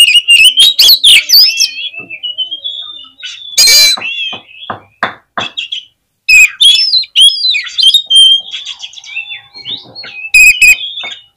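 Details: Oriental magpie-robin song used as a lure to fire up other magpie-robins: loud bursts of sweet whistles and harsh, buzzy chatter, with short gaps and a sudden rasping outburst near the middle.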